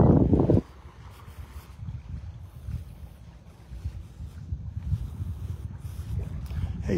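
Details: A brief burst of a person talking on a beach in North Naples, Florida, then low wind rumble and distant surf, with no animal calls.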